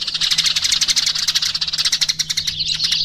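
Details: Eurasian tree sparrow calls: an unbroken stream of rapid, high, sharp chirps running for three seconds with hardly a pause, over a faint steady low hum.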